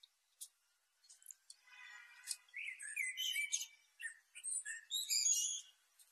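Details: Black flycatcher (sikatan hitam) in full, vigorous song, recorded for tutoring kept songbirds: after a few scattered clicks and a low buzzy rattle, rapid high twittering phrases and sharp sweeping whistles tumble over one another in a dense, varied stream.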